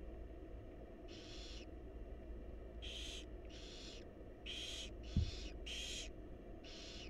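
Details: Wild barn owl nestlings beg as their mother feeds them, giving a series of breathy hissing screeches, closer together toward the end, with one sharp knock and a constant low hum.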